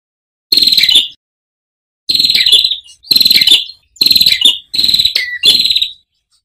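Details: Ashy tailorbird song on a clear recording, described as set with running water, meant for training cage birds: sharp, buzzy high rattling bursts, each about half a second, repeated five times after short pauses.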